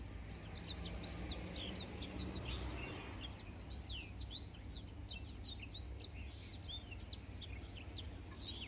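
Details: Black-throated canary song used as a master recording for training canaries: a fast, unbroken stream of short, sharp, slurred chirps and twitters, steady in loudness throughout, over a constant low hum.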